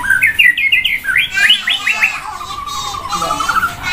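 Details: White-rumped shama sunbathing beside a busy roadside, singing loudly with varied phrases: a run of rapid rising whistled notes, then quick looping slurred notes and a softer warbling trill, over steady traffic rumble.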